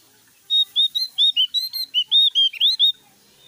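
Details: Loud song of a Javan grey-throated white-eye, a quick run of about thirteen crisp, high whistled chirps, each note briefly slurred, delivered in a steady stream lasting under three seconds against a quiet background.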